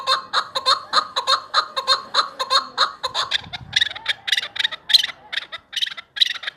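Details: Chukar partridge, a hunting bird, calling: a rapid series of clucking chuck notes that turn higher and scratchier toward the end, with a brief low thump midway.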